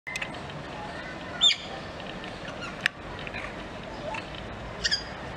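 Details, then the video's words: Grey parrot singing at Novosibirsk Zoo, 12 July 2024, gives three short, clear whistled notes spaced a second or more apart, one sliding downward, over a steady background hiss. "Попугай жако поёт"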